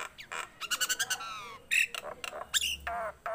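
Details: Tame captive Nias hill myna in full voice. A rapid series of harmonic squawks opens, followed by a long descending nasal note, a piercing whistle and further harsh calls.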